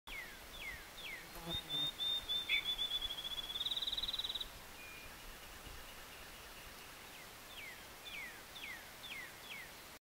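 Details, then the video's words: Yellow-breasted chat near a covered bridge at Slate Run gives a high, quickening run of notes that speeds into a dry chatter, with short downslurred whistles repeated before and after over steady background hiss. "Yellow breasted chat"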